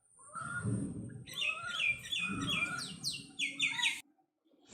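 A common myna gives a varied run of loud whistles, squeaky slurred notes and harsh chattering phrases, with low voices murmuring underneath at the start.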